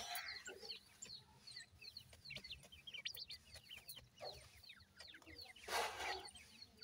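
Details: Captive francolin chicks keep up a dense chorus of quick, high, falling peeps, overlapping continuously, with scattered tapping noises and a loud rustling burst near the end.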